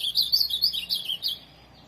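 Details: Ultramarine grosbeak, a tournament-kept bird, giving a short burst of quick warbled notes, high and slurred, lasting just over a second before falling quiet; faint low hum underneath.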